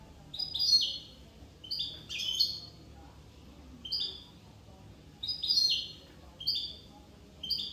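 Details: European goldfinch, Corsican, singing: bright liquid twittering phrases of a few quick high notes, tinkling and slightly nasal, given in bursts roughly every one to one and a half seconds, with quiet background.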